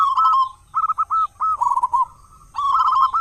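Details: Loud local zebra dove singing as a lure for other doves at morning and evening; a strong coo, a string of clipped separate notes, a rolling trill, then another long trilled coo.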